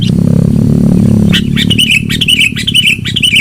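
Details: Sooty-headed bulbul, lure recording of loud song: a droning low hum fills the first second, then rapid warbled whistles come in short bouncing phrases.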